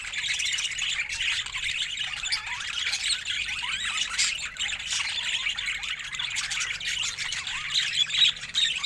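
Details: Budgerigar chatter goes on throughout: many birds giving quick rising chirps and scratchy warbles that overlap into an unbroken twittering chorus.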